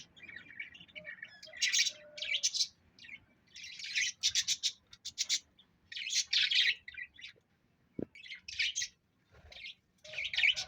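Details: Pet parrot chattering in a string of harsh, broadband squawks and fast chirping bursts, with short silent gaps and one sharp click near the eighth second.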